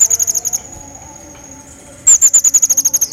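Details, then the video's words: Pygmy bushtit, recorded to train other songbirds: a fast series of very high, clipped notes, a thin steady high tone, then a louder renewed trill of rapid sharp notes. "Crecet Jawa Gacor Pancingan Burung Masteran"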